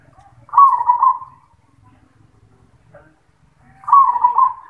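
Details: Zebra dove (perkutut) singing in the 'yoman' voice style: two low, rolling, burbling coo phrases, each under a second long, spaced about three seconds apart, with near silence in between.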